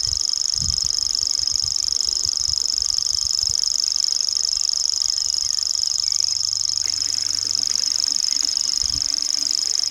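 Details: Wild common grasshopper warbler singing: an unbroken, high, insect-like mechanical reel held at a steady pitch for the whole stretch, with faint low rumbles and thumps underneath.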